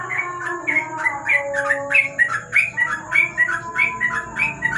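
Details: Sooty-headed bulbul singing at night under a lamp: a rapid, continuous run of short chirpy notes, roughly two per second, with a steady low tonal hum in the background.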